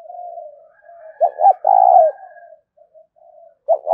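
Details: 'Thúc' cooing of a spotted dove: a low murmured coo, then a loud phrase of two clipped hoots and a long even coo, with the next phrase starting as it ends.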